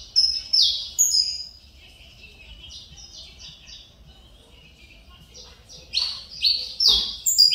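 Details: Mineirinho saffron finch singing again after nearly two years with stuck feathers, still showing pin feathers. Loud downslurred chips open the phrase, then a softer buzzy stretch, then a strong run of sharp, rising-and-falling notes.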